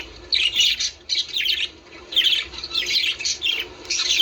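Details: Budgerigars heard to stimulate mating, giving scratchy, buzzy phrases in separate bursts of roughly half a second, with short quiet breaks between groups.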